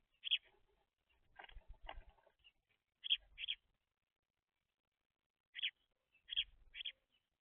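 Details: Baby house sparrows, young birds feeding messily at seed, give short bright chirps in pairs and clusters with pauses of a few seconds, over faint low shuffling and pecking noises indoors.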